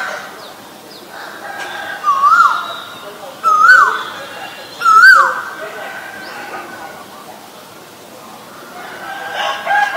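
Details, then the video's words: Asian koel giving three clear whistled notes, each rising then dropping, spaced about one and a half seconds apart, over a quiet background with faint higher chirps from other birds. "นกกาเหว่า (Asian koel)"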